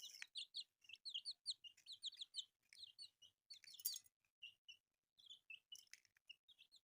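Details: Newly hatched chicks, colourful, peeping together: dense high chirps, many short downslurred and upslurred notes overlapping from several birds, some louder bursts, near continuous chorus throughout.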